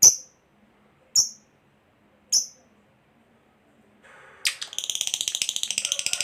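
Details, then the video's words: Lovebird chattering to provoke other lovebirds to answer: a few sharp high chirps, then a long fast buzzy ngekek chatter of rapidly repeated notes begins. "Suara Burung Lovebird Ngekek Panjang JAGO Memancing BUNYI, Hitungan Menit LB DIAM Langsung NYAUT"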